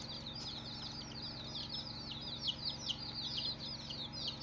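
A crowd of chicks peeping nonstop, with high, short, overlapping chirps, some rising and some falling, over a steady low mechanical hum.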